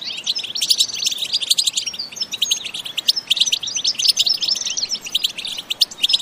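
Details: European goldfinch delivers an energetic batbata song with no sound effects: rapid clusters of sharp chirps and twittering trills, with clipped whistled notes, flowing in irregular phrases with small pauses.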